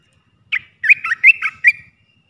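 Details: Olive-winged Bulbul decoy song in the three-phrase style, played to lure wild birds: a quick run of six bright whistled notes, alternately rising and dipping, over about a second, with faint low rustling beneath.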